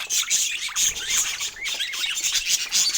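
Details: Pet budgerigars play with their toys in the morning, giving dense high, rapid chirps and short warbled squawks that overlap throughout.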